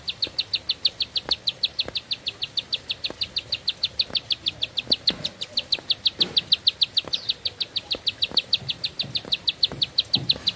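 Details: Bar-winged prinia holding one long song in a single breath: over ten seconds of quick, bright, high chips, about five each second, unbroken and steady, with faint clicks and knocks behind.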